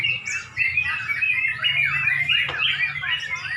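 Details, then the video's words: Trucuk, the sooty-headed bulbul, competing in a song contest in Pemalang near dusk: a dense, continuous stream of loud chirpy warbling with quick up-and-down whistled notes and a brief high note early on. "LOMBA BURUNG TRUCUK DI PEMALANG | menjelang magrib"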